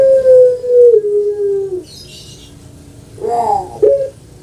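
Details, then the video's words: Pet puter pelung dove from Java, Indonesia, known for a long voice: the tail of a drawn-out coo sinking lower, then after a quiet gap a burst of rolling, gurgling notes. "PUTER PELUNG SUARA PANJANG"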